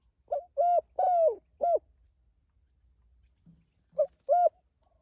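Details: Energetic spotted dove calling its companions with a four-coo phrase, short then longer hollow notes with a drawn-out falling third, then a faint low sound and the start of a repeat phrase.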